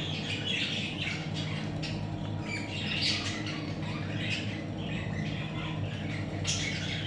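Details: Budgerigar chicks giving scattered short, scratchy chirps and squeaks at irregular intervals over a steady low electrical hum.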